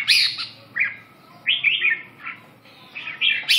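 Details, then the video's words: Red-whiskered bulbul after waking: short, bright, slurred whistled phrases spaced roughly half a second apart, each a quick rich chirp, against steady soft background noise. "tó điên ngủ dậy"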